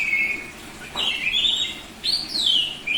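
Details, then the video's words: Oriental magpie-robin of the Bali kacer type, semi-tame, singing loud 'ngeplong' song: a sustained steady whistle, then a rich warbled phrase and a sharp rising-then-falling sweeping whistle. "Suara Burung Kacer Bali ngeplong"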